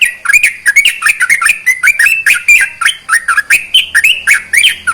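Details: Sooty-headed bulbul song, played to quickly stir lazy bulbuls into singing. Rapid, busy run of short warbled and chattering notes, dipping and rising, with sharp clicky accents, delivered almost without pause through the whole stretch.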